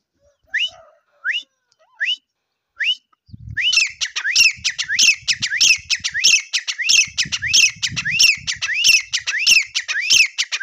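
Grey francolin: four separate rising whistled notes, then a fast ringing series repeated about twice a second, with low thumping noises underneath.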